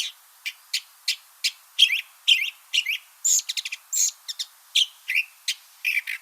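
California Thrasher song: rapid, varied phrases of chirps, buzzes and sharp notes, often doubled, with a high squeaky bit that may mimic a hummingbird.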